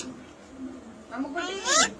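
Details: Myna imitating human speech in Malayalam, coaxed by a person to repeat words: faint voice first, then two short, nasal, speech-like syllables with rising, stacked tones close together near the end.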